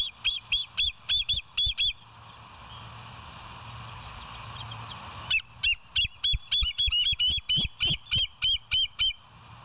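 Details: West End nest cam bald eagle, 07/09/2023 at 06:24: bursts of quick, high, squealing chirps with rich overtones, a quiet gap filled with steady hiss, then a longer, faster string of piping notes.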